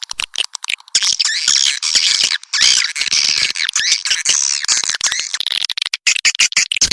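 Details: Sound used to attract swiftlets: harsh, squawky high chattering laced with sharp clicks, almost unbroken, with a dense chorus of overlapping squeaks.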